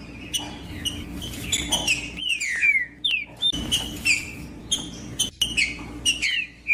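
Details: Green-winged saltator singing, meant to encourage another bird to sing: a series of downward-sliding whistles and sharp clicks, broken by short pauses, over a faint background hum.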